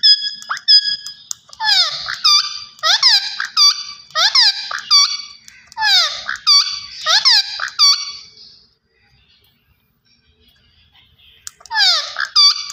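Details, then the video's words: Green ringneck parakeet talking in rapid, chattering phrases of harsh, falling, harmonic syllables, roughly two per second for eight seconds, then a pause and a final burst. "Gareen Ringneck Perrot Talking Vice"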